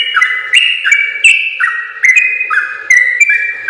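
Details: Yellow-vented bulbul singing a long, rapid song meant for training other bulbuls: clear whistled phrases that drop then jump back up in rapid pairs, with sharp high clicks at each note.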